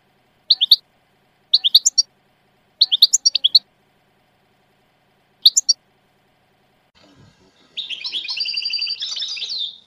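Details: European goldfinch singing short clusters of high twittering notes around four kilohertz, several bursts separated by pauses, then a longer buzzy trilled phrase near the end.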